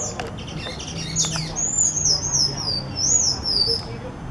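Sayaca tanager singing a run of thin, high, squeaky notes that waver up and down in quick twittering phrases, over a faint low background hum.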